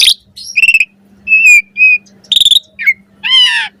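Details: Asian pied starling song for training birds: clear whistled notes, quick trilled stutters and a buzzy rising phrase, separated by short gaps.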